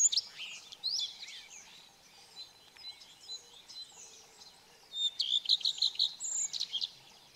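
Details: Singing male common redstart at Kunfehértó, Hungary, 15 April 2018, where six singing males were noted; a varied high twittering phrase opens, then after a pause a bright run of quick repeated high notes ends in a flourish.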